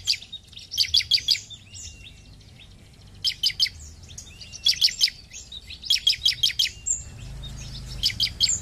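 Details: Bar-winged prinia, locally ciblek, singing 'gacor': tight bursts of four or five high, sharp notes, repeated roughly every one to two seconds, with soft low background noise.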